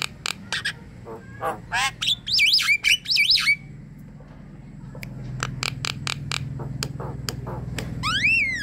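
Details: Javan myna song used to coax a slow-singing myna. Clicks and warbling looped whistles in the first half, then faint scattered ticks over a low hum, ending with a descending whistle.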